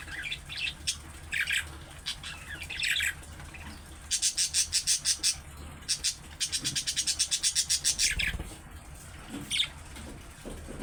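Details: Budgerigar calls described as male chattering that draws replies from other budgies: scattered short chirps interleaved with rapid runs of buzzy clicking pulses, a brief low thump near the middle.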